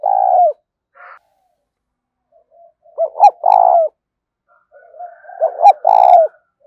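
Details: Spotted dove in 'gáy thúc' calling, the rapid style: a short coo opens, then two full phrases of quick clipped notes ending in a drawn-out coo, with a few sharp clicks alongside.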